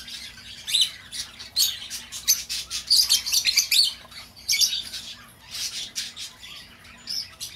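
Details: High chirping lovebird chatter, the kind played to call an escaped pet bird home. Rapid tweets and squeaky notes come in short, irregular runs over about seven seconds, peaking in a dense burst around the middle.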